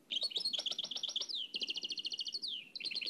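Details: A nightingale performs a rich Oued El Alleug style phrase, transferred from an old cassette: a run of quick chirps that slides into a steady rattle of evenly spaced notes, closing with a falling whistle.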